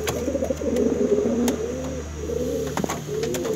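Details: Cooing of a male brown pigeon calling its hen: a long, low rolling coo, a pause, then shorter coos, with a steady low hum and occasional clicks.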